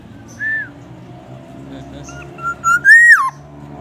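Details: Black-naped oriole, reported to copy White-rumped Shama and ambulance siren sounds, gives a short downslurred whistle, quiet notes, then a building tonal phrase ending in a loud arching slur, over a steady low hum.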